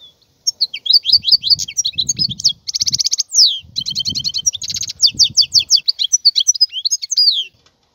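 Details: Wild European goldfinch delivering a continuous stream of quick metallic twitters, buzzy trills and sliding notes; soft low rumbling sounds beneath.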